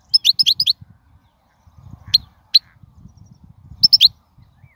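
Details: European goldfinch from the wild, song used for tutoring young birds: a quick run of sharp twittering notes, then isolated chirps and another rapid twittered cluster near the end, over a faint low hum.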